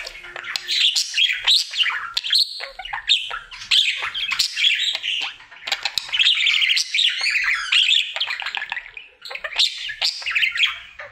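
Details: Pet male budgie singing cheerfully as part of his daily routine: continuous squeaky warbling, chirps and soft chatter, rising and falling in loudness with a brief pause near nine seconds.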